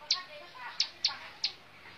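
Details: Bar-winged prinia, known locally as ciblek sawah, giving four sharp high chips spaced irregularly over two seconds against a soft hiss.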